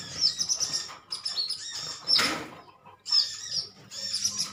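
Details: Greenish metallic sunbirds in a colony chirping at each other: clustered bursts of thin high twitters, about one burst per second, with a brief rustling sound in the middle.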